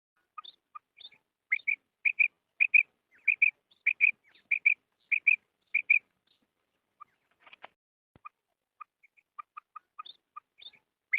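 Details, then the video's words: Female quail call used for quail calling: short, high chirping notes in quick bursts of two or three, repeating steadily, then softer scattered peeps with a faint rustle. "Female Quail Sound / Budana Sayrashi / مادی بٹیر کی آواز"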